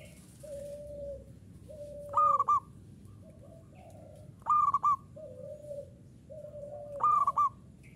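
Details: Local zebra dove singing the common 'uraa' style: three short bursts of clipped, pulsed coos, with lower drawn-out cooing between and a steady background hum.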